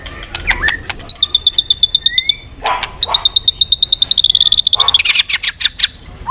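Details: A white-rumped shama pulls long strings of switching voices. A fast series of high ticking notes, repeated many times per second, speeds up into a dense rattle, framed by brief slurred whistles.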